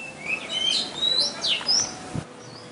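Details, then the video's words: Very loud tiny bird calling on a river safari on 23 January 2015: a run of high, clear whistled notes sweeping up and down, with a soft thump near the end over a quiet background hiss. "The very loud tiny bird"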